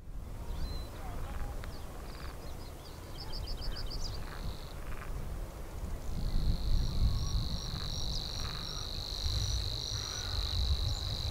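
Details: A Savi's warbler in Hania's Polder, Nieuwe Dordtse Biesbosch, Netherlands, gives a short stuttering trill, then settles into a long, even, insect-like reeling buzz lasting several seconds over low wind rumble.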